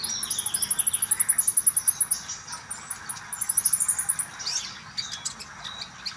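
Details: Common iora song used as playback to encourage a caged bird to sing more often: a rapid run of thin, very high notes repeated about eight per second, a pause, a second run, then scattered sharp chirps.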